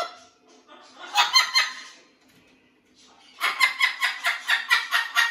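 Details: Blue-and-gold macaw at a parrot rescue, adapting to a new flock, talking in harsh, chattering bursts: a short cluster of raspy syllables, a pause, then a rapid run of about eight evenly spaced rough notes.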